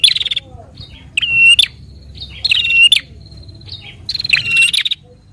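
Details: Prinia singing a lively fighting-style song to stimulate a captive bird. Buzzy pulsed bursts and metallic harmonic notes are repeated about every one and a half seconds, with small squeaks between and a quiet low hum.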